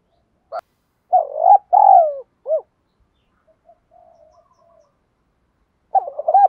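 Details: Spotted dove giving challenge-style 'thúc đấu' cooing to stir other doves into calling. A short clipped note comes first, then two full, throaty coos and a brief upward-bent hoot. After a pause with faint soft murmurs, another burst of coos begins.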